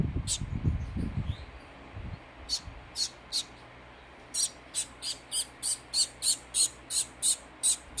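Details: Fawn society finch chick during hand-feeding. Low bumping handling sounds open the recording, then scattered high chirps build into a rapid, regular run of piercing buzzy begging calls, about three a second.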